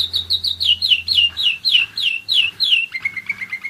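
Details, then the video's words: German Roller-split canary, one year old, singing loud downward-slurred whistles about three per second, then switching to a softer low rolling trill, over a faint background hum. "german roller-split canary"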